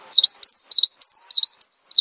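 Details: Loud, clear cinereous tit song on a master track for training songbirds: a dense chain of high whistles, some level, some swooping down and up, with brief gaps between short phrases.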